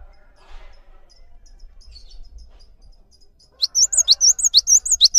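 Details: Cinereous tit kept as a training model for other songbirds; after a quiet stretch of faint background noise, a bright burst of high swooping two-note whistles begins and repeats briskly, roughly two phrases per second.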